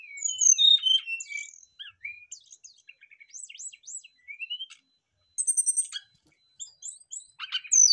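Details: Brown-chested jungle flycatcher song used as a fast lure, heard as scattered high whistles, short upslurred notes and chips, then a loud rattling burst and more sharp whistled phrases.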